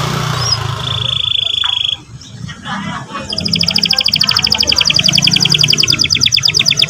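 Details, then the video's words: Canary song used as a lure to provoke a young canary into singing: one long steady whistled note, a pause, then rapid, even rolling trills stacked in two bands, over a low background murmur. "pancingan emosi burung kenari paud !!macet bunyi seketika NYAUT ngeriwik NGEROL"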